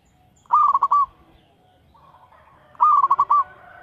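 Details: Local zebra dove song used for luring, two bursts of quick pulsed cooing notes at steady mid pitch, each closing on a short drawn-out note, separated by quiet low murmuring.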